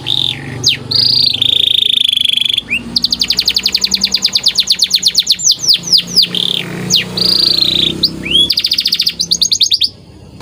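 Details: Training (masteran) song of a white canary: rich rolling trills, steady whistled tones and long rapid rattles of downslurred high notes, loud and continuous with brief gaps.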